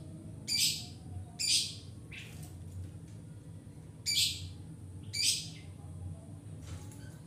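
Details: Long-tailed shrike used to lure and train birds, giving loud harsh rasping bursts, mostly in pairs about a second apart, separated by quiet gaps over a faint low hum.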